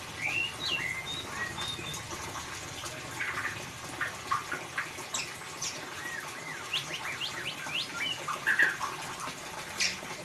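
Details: White-rumped shama singing in the ngeriwik style, used as a lure to get a silent bird to sing: a varied run of short whistled and chirped notes, some rising, scattered over ten seconds against a steady hiss.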